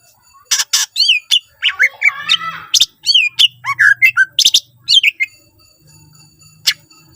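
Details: Greater green leafbird (cucak ijo) in full, richly varied song used as a lure to get other leafbirds singing: rapid bursts of sharp, high chirps, wavering whistled phrases and buzzy chatter in short volleys, with a faint low hum behind.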